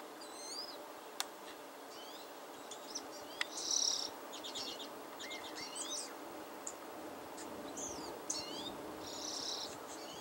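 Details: A wild female European starling that visits alone many times a day, calling loudly to show she is happy: varied whistles, rising and falling slurred notes, harsh rasping bursts and sharp clicks, over a steady background hiss.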